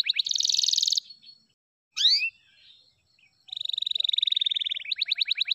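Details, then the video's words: Song of an F2YS canary: a dense high rattling trill, a pause, a sharp double swoop, a long even trill, then a burst of quick descending notes. "DURASI F2YS GINI || PASTI SYAHDU LAGUNYA"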